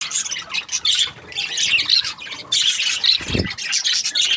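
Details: Budgerigars, described as happy, chirping: dense, scratchy high chatter with squawky bursts and brief whistled notes, nearly continuous with short pauses.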